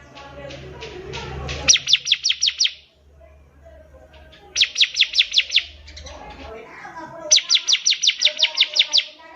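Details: Energetic bar-winged prinia song meant for teaching young birds to sing: three strings of seven to nine fast, high, clipped chirps, each lasting about a second, with soft background rumble and chatter in the gaps.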